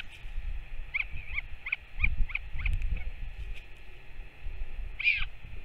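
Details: Northern royal albatross at the nest on 21 May 2024, a parent back and feeding its chick; seven quick high chirps in a steady series, a pause, then one louder peep, with wind buffeting underneath.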